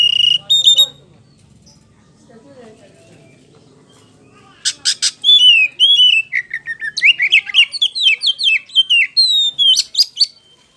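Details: Caged White-rumped shama: a short whistled burst, several seconds of near silence, then an intense fast stream of sharp clicks, chattering notes and sweet whistled slurs.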